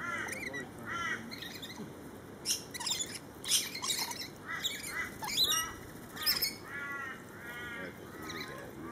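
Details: A flock of lorikeets in a feeding frenzy gives harsh, grating screeches and squawks in overlapping bursts about every half second, with a steady high insect-like whine underneath.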